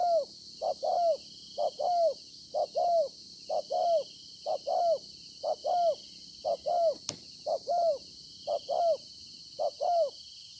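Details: Freshly trapped wild spotted dove giving repeated soft two-part coos, recorded 26 September 2020; each short note is followed by a longer falling coo, evenly spaced, with a single sharp click midway and continuous high hiss.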